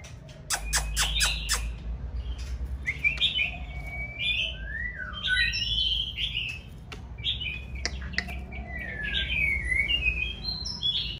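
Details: Female white-rumped shama in breeding condition singing to arouse a male: a burst of loud clattering clicks opens, then fluid whistled phrases and twittering notes run on, over a steady low rumble.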